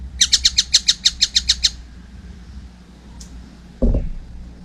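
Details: A young collared kingfisher gives a single short run of about ten rapid, rasping high notes, then falls quiet before a sharp knock near the end.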